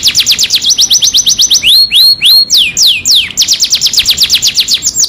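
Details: Lure song of a canary, meant to stir a silent canary into song: a fast, evenly repeated series of high sweeping notes, broken by a few slower loud downswept whistles, then quick repeats again.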